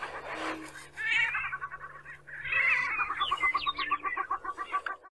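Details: Male greater prairie-chickens displaying at a lek (dancing ground), competing for hens: a chorus of harsh, rapid cackles and rising whoops, several birds overlapping, with only a faint low booming beneath.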